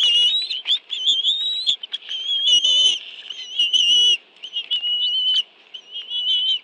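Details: At a Washington, D.C. nest in the National Arboretum on 11 June 2017, bald eagles share fish brought by both parents to two young; piercing whistled notes come in bursts of about a second, some with squeaky overtones, plus faint lower scuffs.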